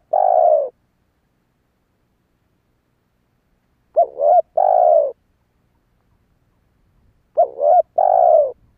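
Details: Spotted dove call used to lure wild doves in: a clipped two-part coo leading into a longer sustained coo, the phrase repeated after a silence of several seconds, clean with no other sounds.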